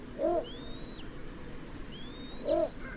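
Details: A little bittern utters two short, deep, woofing notes roughly 2.2 seconds apart; a faint, thin rising whistle follows each, with soft background noise throughout.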